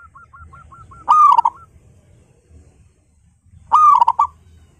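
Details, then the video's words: Home-kept local zebra dove singing loudly: a few quick soft staccato notes lead into a loud rolling coo, then another powerful coo about two and a half seconds later, over faint low hum. "PERKUTUT LOKAL GACOR PALING GACOR SUARA BESAR"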